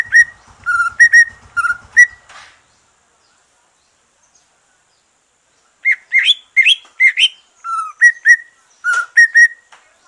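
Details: Green leafbird that has just moulted, singing to stimulate other birds: bursts of clear whistled notes alternating between two pitches, with a silent pause, then a faster varied run of rising and dropping whistles.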